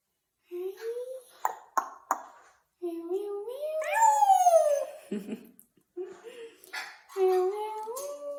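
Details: Congo African grey parrot at play indoors: rising whistled notes, speech-like babble, and a loud descending squeal near the middle, then more slurred whistles.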